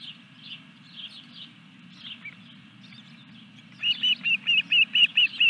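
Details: Faint soft chirps give way to a loud, regular string of about seven high whistled notes, roughly three per second, from an osprey at its Dunrovin Ranch nest during the third fish delivery, 14 July 2021. Low hum underneath.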